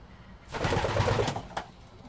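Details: Racing pigeon in its loft in September 2017, after the season, as the flying team raises young: one deep, burbling coo under a second long, with low rumbling undertones, followed by a short knock.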